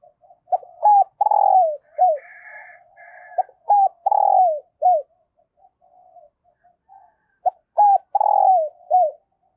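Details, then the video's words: Decoy spotted dove cooing early in the morning to lure wild doves. Each phrase has short, clipped rising notes, a drawn-out falling coo and a final note. The phrase repeats, with faint higher chatter in between. "Chim Cu Mồi Gáy Gọi Bổi Sáng Sớm"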